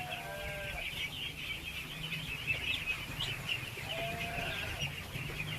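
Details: Massed baby ducks at feeding time: an unbroken wall of shrill peeping, a low rumble underneath, and occasional longer, lower nasal calls near the start and end.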